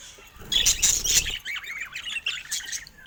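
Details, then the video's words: Affectionate pet budgerigars: a loud scratchy squawk, then a soft, wavering warble of rising and falling chirps. "Top Cute Budgies Showing Love with Funny Sweet Sounds"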